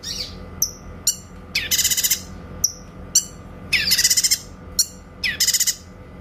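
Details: Grey-cheeked bulbul in a clear 'tembakan' song for training white-rumped shamas: high whistled notes alternating with three loud, dense, rapidly pulsed rattling bursts, with a faint background hiss.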